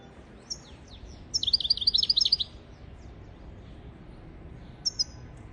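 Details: European goldfinch singing for the training of young goldfinches and canaries: thin high notes, then a fast rattling trill of tinkling chirps lasting about a second, followed by a pause and a final pair of sharp high notes.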